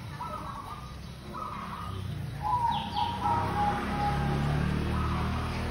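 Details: Local zebra dove singing steadily, used as a lure: short mellow cooing phrases in a band of pitch, some rolling and bubbly, repeated every second or so over a constant low rumble like distant traffic.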